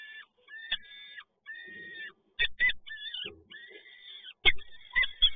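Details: Peregrine falcons at the PGE Toruń nest site in Poland, 7 May 2022, as the male brings in another prey delivery: drawn, nasal wailing calls in long level notes, broken by sharp knocks and clatter.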